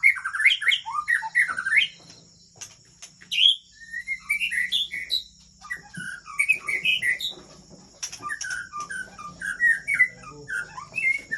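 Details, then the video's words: White-rumped shama from Aceh, recorded at Kandang, Ladong, Aceh Besar. It sings a varied, rich song of clear whistled phrases, slurred up and down, broken by short pauses, with a faint steady hiss behind. "Murai Aceh"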